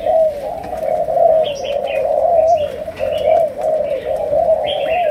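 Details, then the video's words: Malaysian spotted dove performing chiêu gù, sấm đồng song. Steady throaty coos repeat about once a second in a rolling sequence. Thin high chirps from other birds sound throughout. "Cu Gáy Malaysia, Chiêu Gù. Sấm Đồng"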